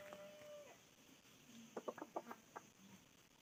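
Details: Red junglefowl giving a short run of sharp, clipped clucks about a second long midway through, over a faint steady whistle-like tone early on and a constant hiss of background insects.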